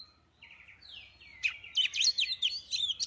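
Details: White-rumped shama song played to provoke singing: soft buzzy trills and a descending slur, then a fast series of loud, sharp, high whistled notes.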